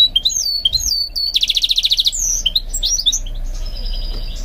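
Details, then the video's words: Goldfinch mule in song training: descending whistled slurs, a short harsh buzzy trill, more swept notes, then quieter fading twitter. "Training My GOLDFINCH Mule to Sing"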